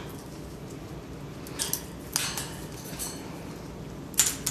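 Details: Only scattered clinks and clatters, like cutlery or dishes, sound over a low indoor hum, with no animal voice.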